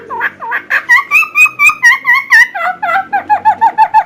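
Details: Helmeted friarbird with a loud, distinctive voice, recorded to train other songbirds: varied whistled phrases with two-toned slurred notes, some held and level, others dropping, speeding into a quick series of short rising notes.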